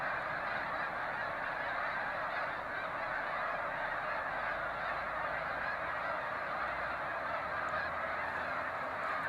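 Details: A huge flock of migrating snow geese in Canada in April, at sunrise as they leave the water to feed in fields, honking at once in a dense, continuous roar of nasal, high-pitched yelps.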